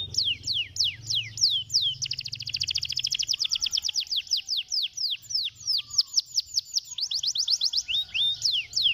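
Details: Canary stimulating song: quick series of descending whistled sweeps, then a long fast rolling trill of repeated notes, returning to falling sweeps and rapid rolls, bright and high throughout.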